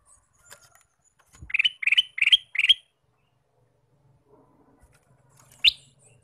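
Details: Male sooty-headed bulbul used as a lure to attract wild birds, giving a quick run of four bright, chirpy notes in about a second, then after a pause a single sharp note.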